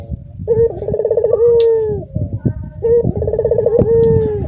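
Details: Pair of dorongan coos from Barbary doves kept together in a cage, several joining the calling: each a bubbling pulsed trill ending in a long smooth hoot, repeated after about two seconds over steady low background rumble.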